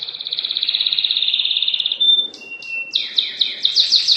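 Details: Canary singing during mating: a fast buzzy trill of rapid repeated notes, then a pure whistle and a run of sweeping downslurred notes, all high-pitched.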